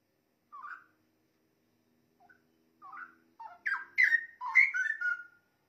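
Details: A straw-headed bulbul sings, recorded as a model for training songbirds: a soft rising note, a pause, then swelling into loud, liquid, rolling whistles with downward slurs.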